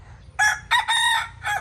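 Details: A young domestic rooster in Mae Sot, Thailand, being trained after a wild junglefowl attacked it, crows in three broken, harsh bursts, the middle one longest and rising before trailing off, over a low hum. Its crowing reveals its location to rivals.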